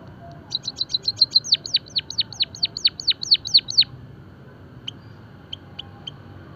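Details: Java sparrow singing on a training and stimulation track: a rapid run of about fifteen high notes, each dropping sharply in a downward sweep, roughly four per second, followed by a few scattered soft chirps.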